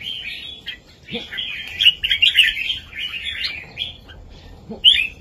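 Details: Red-whiskered bulbul singing a southern Thai master song with heavy, clear phrases, used to rouse birds and teach young birds; bright rolling warbled phrases run almost unbroken through the middle, then a pause and one sharp closing phrase.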